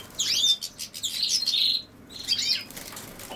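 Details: Lively European goldfinch twittering, recorded with common sow-thistle: a dense burst of tinkling chirps and buzzy trills, a brief gap, then another jangling phrase.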